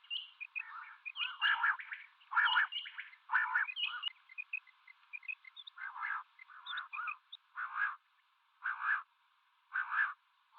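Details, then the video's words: Common quail, males and females calling in a mix: a dense, busy run of rasping bursts and high paired chirps, which settles into single buzzy bursts about once a second. "Female Batair Calling 2020 | Male Batair Sounds | Mix Calling | Common quail Calling | Quail sounds"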